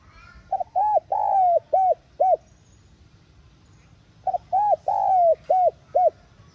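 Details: Spotted dove cooing to lure a decoy bird into singing. Two identical hollow phrases about three seconds apart, each of clipped notes, an arched coo, a long drawn coo and two short coos, over a quiet background.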